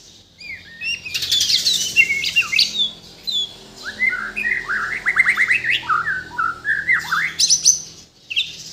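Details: Bornean white-rumped shama, originally from Kalimantan, singing a rich song packed with imitations: quick upward-sweeping whistles, dense buzzy trills and bright chirps poured out almost without a break.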